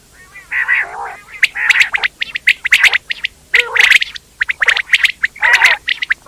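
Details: Quail making dense, harsh squawking notes with wavering low overtones, interleaved with many sharp high chips in fast irregular bursts, almost continuous.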